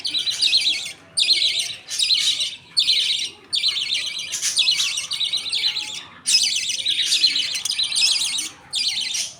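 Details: A father budgerigar feeds millet paste to his two chicks as the mother watches in a pet colony. Rough, buzzing bursts run almost continuously, broken by brief quiet gaps every second or so.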